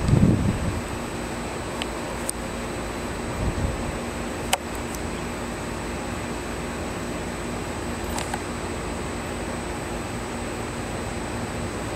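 A steady low mechanical hum, like a fan or distant traffic, with a few brief clicks and taps and no clear animal voice.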